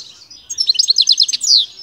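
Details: European goldfinch prepared for singing competition, delivering a fast, bright twittering phrase of rapid high chirps and trills, about a dozen quick notes in one second, ending in a longer buzzy note; clean recording without other sounds.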